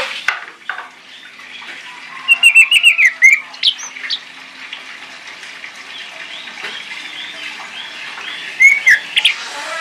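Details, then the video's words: Orange-headed thrush giving two bursts of quick, rich warbled and whistled notes, high and varied, over a steady background hiss like running water; used as a lure to prompt silent birds to sing. "YANG BISU IKUT BUNYI MENGGUNAKAN PANCINGAN ANIS MERAH INI"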